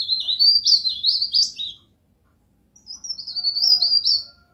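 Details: Pied bush chat tutor recording: two rapid high phrases of chirpy, warbled notes that swoop up and down, separated by a brief pause, over faint low background noise.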